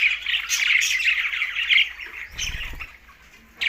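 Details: Several green budgerigars in Larkana, Sindh, chirping while feeding: loud, tightly packed scratchy twittering for two seconds, then a soft low thump and quieter chatter, ending on a sudden sharp squeak.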